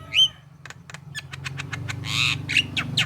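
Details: Javan myna voice used to coax other mynas into song: an opening whistle, rapid dry clicks, then a loud rasping burst and squeaky notes above a steady low hum.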